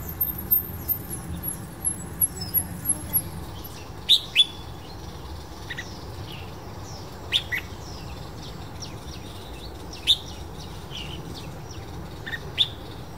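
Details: Red-whiskered bulbul (Pycnonotus jocosus) at Shenzhen University in September, calling: sharp, bright chirps a few seconds apart among softer twittering, with a thin high insect-like tone early and a steady low hum throughout.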